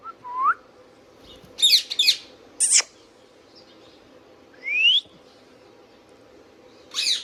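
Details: Indian ringneck parakeet kept as a pet, giving scattered short calls: a rising chirp, clustered harsh squawks, and upward-sweeping whistled notes, separated by quiet gaps in a still room.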